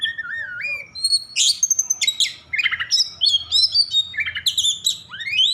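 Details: Oriental magpie-robin in agitated mood, singing to provoke others of its kind: fluted whistles at the start, then rapid bursts of high chirps and sliding notes, ending in a rising whistle.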